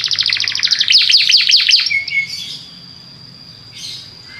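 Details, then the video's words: Belgian canary sings a fast high trill for about two seconds, then falls quiet apart from a faint thin tone and a brief soft buzz. "O canto do canário belga faz com que seu canário cante sem parar"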